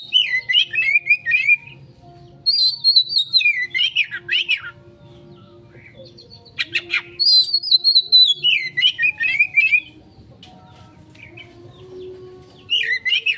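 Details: Oriental magpie-robin lure song described as 'konslet', for quick response: repeated bursts of rich whistled phrases, falling and warbling, with sharp high clicks between them and short silences. Steady faint hum.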